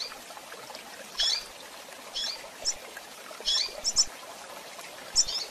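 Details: Female double-collared seedeater (coleiro, tui-tui type) giving calls meant to excite the male: short high chirps, single or in quick pairs, scattered irregularly about once a second over a steady hiss of background noise.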